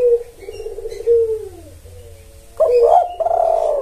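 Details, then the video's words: Spotted dove call used to summon males: a low, hollow drawn-out coo sliding slightly downward, followed after a pause by a louder, rougher burst of cooing. "Pancingan Tekukur Memanggil Pejantan"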